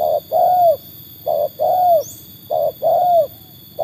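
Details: Tekukur trained and tested against wild birds: loud two-part coos repeated roughly every 1.2 seconds, short note then long bowed note, with a faint high chirp.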